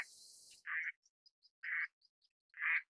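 Eastern spot-billed duck giving three harsh, rasping quacks about a second apart. Faint high ticking notes sound between them, after a brief burst of hiss at the start.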